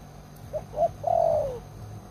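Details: Spotted dove decoy bird with a strong voice giving one coo phrase: two faint quick notes leading into a drawn-out mellow coo that slides slightly downward at the end, over a low steady hum.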